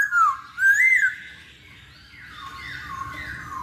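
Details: Lure recording of a masked laughingthrush to make birds start singing: two loud whistled slurs, the second arching up and down, followed by softer, drawn-out whistled tones.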